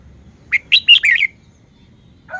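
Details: Red-whiskered bulbul kept in a cage, performing a single tight song phrase of five clear, bouncy whistled notes rising and falling, followed after a short gap by a lower, rougher sound at the end.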